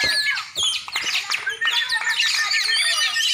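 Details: Champion Oriental magpie-robin of the black-and-white form from Aceh giving a fast, jumbled burst of high chirps, squeaks and short whistled slurs in rapid succession.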